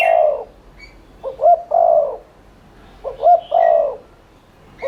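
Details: Spotted dove 'thúc liên thanh' cooing, played to set other doves cooing: two full three-note phrases of low hoots ending in a longer coo, bracketed by the tail and start of neighbouring phrases, with faint chirps.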